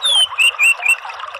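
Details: Orange-headed thrush giving a clear descending whistle, then three slurred notes in a brief phrase, over a steady hiss.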